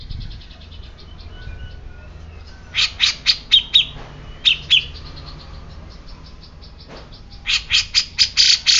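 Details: Grey-cheeked bulbul producing clusters of loud, high chirps and short buzzy notes in several bursts separated by quiet gaps, with faint background calls and low hum.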